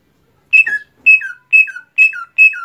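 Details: Greater green leafbird, a kept songbird after its moult, giving five loud whistled two-part phrases, each a high steady note dropping into a lower slurred note, repeated about every half second in a quiet setting.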